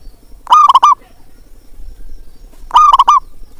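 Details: Local zebra dove with a big voice, played as a lure call to prompt reluctant zebra doves to sing. Two short bursts of rapid, stuttering, resonant cooing notes, each about half a second long and about two seconds apart, over a faint low hum.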